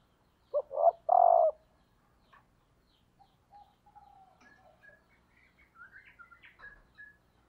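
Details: Caged female spotted dove used as a lure for males, giving one three-part coo: two short soft notes then a longer buzzy coo, followed by faint distant twitters.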